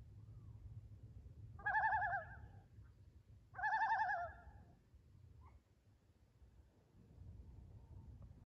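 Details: Loon calling at sunset: two quavering, warbled calls about a second each, two seconds apart, with a wavering tone and rich overtones, over a low steady rumble and otherwise quiet surroundings.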